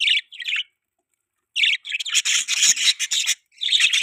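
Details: Pet budgerigar chatter in short bursts: scratchy, buzzy high chirps and warbles, a pause of about a second, then a longer run of rapid chattering notes and a final burst.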